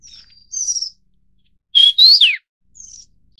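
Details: Vinous-throated parrotbill of the Taiwan endemic subspecies (Paradoxornis webbianus bulomachus) giving thin, high whistled notes, then a louder burst of sharp rising and falling chips, followed by a faint trailing note.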